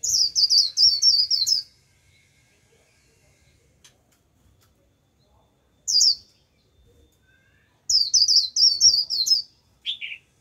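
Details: Japanese white-eye used as a lure bird to call in a wild flock, giving its 'líu' song: bursts of very high, quick, thin warbled notes in rapid runs, separated by silent pauses, with one lower slurred note at the end.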